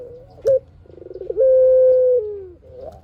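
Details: Lure song of a spotted dove meant to make other doves reply: a brief sharp upslurred note, a stuttering pulsed rattle, then one drawn-out level coo that sags at the end.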